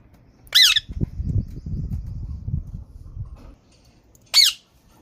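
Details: ['Green parrot giving two harsh, downward-arching squawks about four seconds apart, with a low rumbling background murmur between them.']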